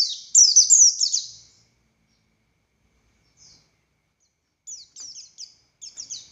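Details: Oriental white-eye, buxtoni race, in captivity: one brief burst of high, thin, tumbling notes, then nearly three seconds of silence, a faint note, and later short clusters of quick descending chirps.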